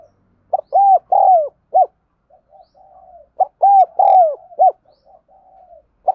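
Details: Spotted dove, a recording meant for voice training of wild-caught birds and lures, giving two repeated coo phrases roughly three seconds apart. Each has short, long, longer and short hollow notes, with soft low burbling in the gaps.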